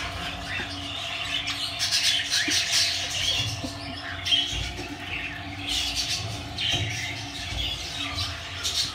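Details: Captive budgerigar chicks in Küçükçekmece, Istanbul give raspy, hissing squawks in uneven bursts over a steady mechanical hum.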